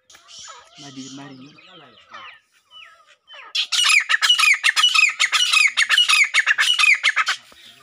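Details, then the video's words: Grey francolin male displaying his power to a female by calling: after soft background sounds and a brief low voice-like sound, a loud, fast series of harsh, high, repeated notes runs for about four seconds. "How Gray Francolin Find And Show His Power To Female Francolin By Making Call"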